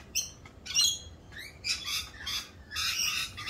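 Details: Rainbow lorikeets, raucous in mating season during their mating dance; quick run of shrill, harsh screeches, a few with rising inflection, closely spaced.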